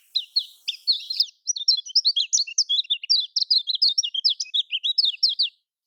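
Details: Lemon-bellied white-eye (kecial kuning) in Lombok-style song, used as a lure to make caged birds sing. A rapid, unbroken run of sharp, high twittering notes, each a quick up-and-down slur, pours out steadily for about five seconds.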